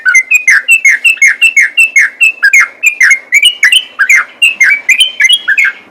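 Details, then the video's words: A sooty-headed bulbul calls in fighting mode with a loud, rhythmic run of sharp, downward-slurred chirps, each note ringing with bright overtones and repeated about three times a second. "BURUNG TRUCUKAN ROPEL TARUNG"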